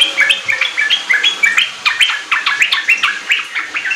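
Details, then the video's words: Sooty-headed bulbul song used as a lure so kept bulbuls start singing quickly. Burbling, slurred notes come in quick bursts, then pick up into a denser, rising flurry near the end. "Pancingan trucuk ampuh bikin trucukan bahan cepat riwik ropel gacor"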